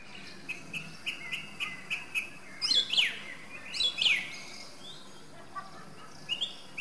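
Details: Song thrush (Turdus philomelos) song mixing a run of short evenly spaced notes with two loud sweeping phrases in the middle, then more scattered high notes.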